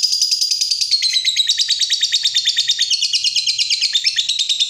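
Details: Fighter lovebird delivering a sustained ngekek trill, used to lure other lovebirds into singing; a rapid stream of high, scratchy pulses slides gradually lower in pitch across nearly five seconds without a break.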